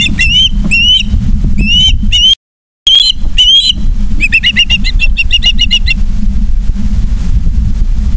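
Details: Nest camera audio from Charlo, Montana, 3 September 2023, evening: an osprey's rising, squealing whistles in spaced pairs, a brief dropout, then a rapid run of short piping chirps above continuous low-frequency hum.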